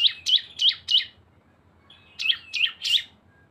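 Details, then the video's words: Cisem lure song from two combined birds: a brisk run of four sharp, high, slurred chirps, a short pause with a faint whistle, then three more chirps. "CISEM GACOR ‼️ SUARA BREN kombinasi 2 burung"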